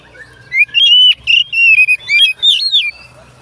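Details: Oriental magpie-robin singing to make other magpie-robins answer; rich warbled whistles, bending up and down, delivered in a steady stream of short connected phrases over a faint low hum.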